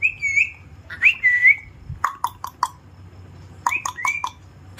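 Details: Pet Alexandrine parakeet, which mimics speech such as 'Har Har Mahadev' and 'mummy', gives clear wavering whistles, then a run of sharp clicking notes and more rising whistles, all high-pitched over a faint low hum.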